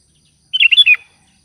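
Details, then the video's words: Sooty-headed bulbul calling companions, delivering a single brief burst of bubbly, warbled notes that ends on a lower slurred note. No other sounds are heard. "Suara Burung Kutilang Gacor Memanggil Teman"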